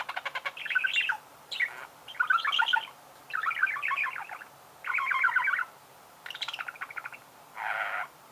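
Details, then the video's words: Budgerigar song made of rapid, rattling, harmonic chatter phrases about half a second to a second long, repeated with short gaps and ending in a harsher buzzy burst. "Пение волнистого попугая"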